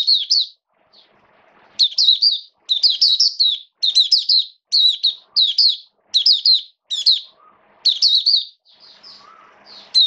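Oriental white-eye singing in rapid bursts of high, thin, twittering notes, phrases repeated about every second with short pauses; faint background hum.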